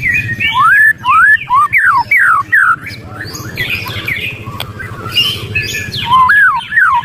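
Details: Emotional White-rumped shama ketrekan: loud, looping whistled notes that dip and rise in quick succession, a quieter patch of scratchy chatter, then two more strong swooping whistles.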